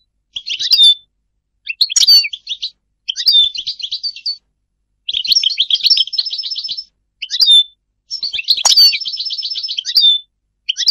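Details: Goldfinch song in clipped, chattering phrases of tinkling and buzzy notes, with short twittered bursts alternating with longer runs and brief silences.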